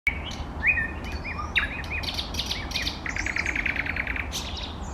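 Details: Nightingale, named eastern nightingale, singing a varied phrase: clear whistled notes and upward slurs, then a fast rattling trill of evenly repeated notes, with sharp high clicks over steady low background rumble.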